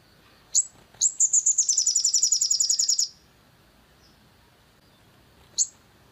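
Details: Long-tailed shrike sound used to provoke birds into singing: a rising chirp, then a two-second burst of fast, evenly repeated high buzzy notes, then a long silence and one last chirp.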